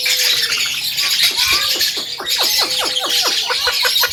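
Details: Javan myna in vigorous song, used as a master recording for training birds: a gliding whistle, then a burst of sharp descending sweeps in quick succession over a level tone, against steady high hiss.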